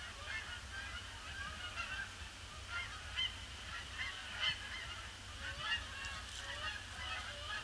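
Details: Large flock of Canada geese circling a pond before landing on a grey, gloomy Boxing Day; overlapping honks rise and fall continuously, several louder nasal calls standing out, with a steady low rumble beneath.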